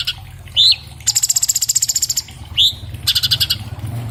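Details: Orange-bellied leafbird (Cucak Cungkok), iPhone 7+ recording used for training cage birds: rising whistled slurs, each followed by a long high rapid rattle of evenly spaced notes.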